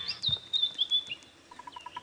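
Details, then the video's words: White-browed scrub robin singing at sunrise in the African bush, on a safari drive at Djuma Game Reserve: thin high whistled phrases with slurred notes, followed by a bearded woodpecker's rapid series of short even taps. "That is the sound, everybody, of a beautiful African morning. It's a white-browed scrub robin you can hear going."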